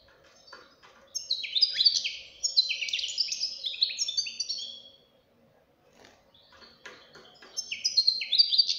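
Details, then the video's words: Fledgling European goldfinch singing a long stretch of fast, tinkling twitters and chattering notes for about four seconds, pausing, then starting another bright phrase; low steady hum in the background. "غناء فرخ طائر الحسون"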